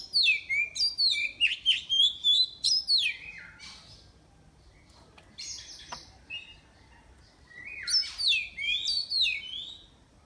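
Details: Caged Oriental magpie-robin from Miri, Sarawak, singing as an online contest entry. It is kept on crickets with daily sunning and afternoon bathing. Two bouts of loud, rapid, varied whistles and slurred notes are separated by a quiet pause with a few clicks.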